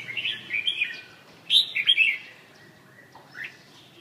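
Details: Red-whiskered bulbul from central Vietnam: a soft chirpy phrase, then a loud bubbling burst of rising and falling whistled notes, followed by a faint upward slurred note.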